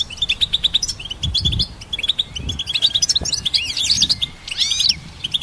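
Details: ['Goldfinch twittering, a hybrid recorded for songbird training: quick high chirps in rapid series, then sweeping upward slurred notes near the end, in a steady busy flow.']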